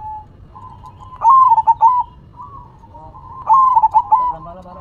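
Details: Zebra dove (perkutut) in manggung song: two loud phrases of rapid, stuttering coos, each ending in a longer held note, with soft cooing in between.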